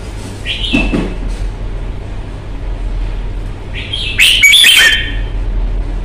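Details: Red-whiskered bulbul kept in a cage for fighting display: a short whistled phrase with a lower thud, quiet gap, then a loud tumbling run of rich whistled notes; low-pitched hum and rumble underneath.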